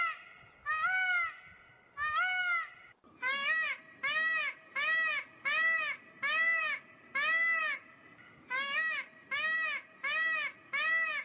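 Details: A male Indian peafowl on a small farm gives its mating call: two drawn-out, loud, nasal, wailing cries, then a rapid run of about ten shorter, cat-like honks, one every second.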